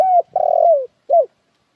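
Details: Spotted dove cooing: a short low coo, a longer slightly falling hoarse coo, a pause, then a final brief coo, all in a low, mellow register on a clean quiet background.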